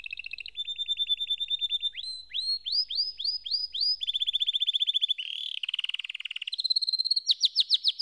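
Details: Singing canary running through changing tours: quick repeated rising slurs, fast even rolls, a buzzy stretch, then sharp high upswept notes at the close.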